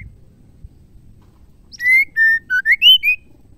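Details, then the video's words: Female white-rumped shama song used to rouse male shamas into singing: after a quiet start, a quick run of five or six loud, pure whistled notes, some level, some rising, delivered about three per second. "MURAI BETINA GACOR..PENGGACOR MURAI BATU TERAMPUH"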